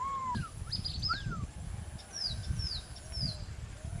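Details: Three parrots perched on branches, calling: a series of clear whistled notes, several sliding downward, scattered over four seconds, with steady low outdoor rumble beneath.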